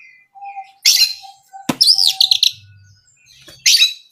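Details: Oriental magpie-robin (kacer) song meant to provoke other birds: short bright chirping bursts and a looping whistled phrase, with a click and a faint low hum between.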